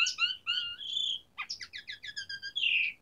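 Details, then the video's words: Jalak suren, or Asian pied starling, singing a 'tembakan' variation: layered buzzy whistles, then a rising note into a quick run of about eight chirps ending in a long harsh buzz, over a low background hiss. "Pancingan Jalak Suren Gacor Variasi Isian Tembakan"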